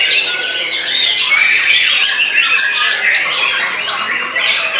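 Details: White-rumped shama in frenzied post-moult song: sharp high whistles and fast rising-falling phrases crowded with harsh squawking notes, continuous and loud.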